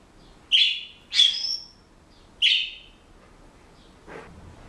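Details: Senegal parrot at home producing three loud, high squeaky chirps in quick succession, the second slightly drawn out, followed by a faint lower sound.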